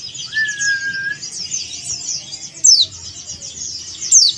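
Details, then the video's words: Male Bali-type yellow-breasted white-eye calling a rival: an early steady whistled tone, high jumbled twittering throughout, and two sharp descending sweeps in the last two seconds. "SUARA CALL PLECI JANTAN DAKUN BALI MANGGIL LAWAN"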